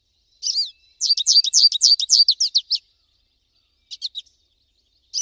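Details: Wild American goldfinch song: a slurred opening note followed by a rapid, steady series of high chirped notes, then a short twitter and another starting phrase.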